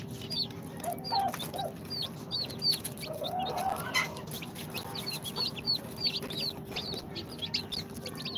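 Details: Two-day-old chicks from an incubator, Sultan, Golden Sebright, Cochin and booted breeds, fill the air with continuous shrill, downslurred peeps from many birds, a brief rustle midway and steady background hum.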